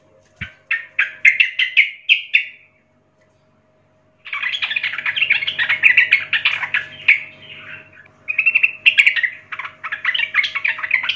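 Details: Young wild sooty-headed bulbul, song meant to train young birds: chirpy bursts, a silent gap, then long continuous rapid chattering warbles.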